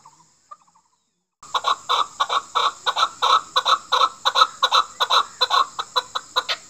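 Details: Chukar used for hunting, calling for a female: after a brief quiet pause, a loud burst of repeated rasping chuck notes follows, close together, around three per second.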